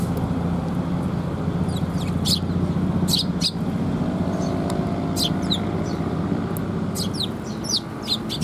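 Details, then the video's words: Young Eurasian tree sparrows just out of the nest, being fed by adults on 6 May 2021; scattered bright chirps and short bursts ride over heavy low vehicle noise. "巣立ち雛鳥達に餌遣り 20210506 6（親子雀）"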